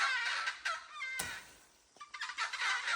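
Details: Red-throated caracara from the Amazon of Brazil calling in dense, raucous, cackling harmonic phrases, loud at the start and end with a quieter gap in the middle and one sharp click.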